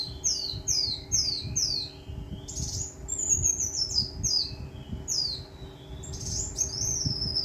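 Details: Brown-throated sunbird from Kalimantan singing a fast run of short, downward-slurred high notes, then a sharp burst and a long falling trill of repeated chips, over a constant low background hum.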